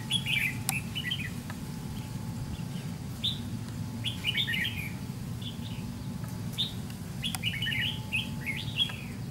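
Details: Red-whiskered bulbul of the white-cheeked type, lured with a decoy bird in a fighting trap, giving clustered chirpy warbles in quick bursts roughly every second, with a few sharp clicks and a steady low drone.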